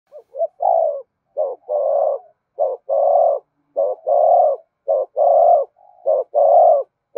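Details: Spotted dove giving the urging coo used to stir decoy birds and train lure birds: low hooting pairs, a short note then a longer steady one, repeated about once a second, with nothing else heard.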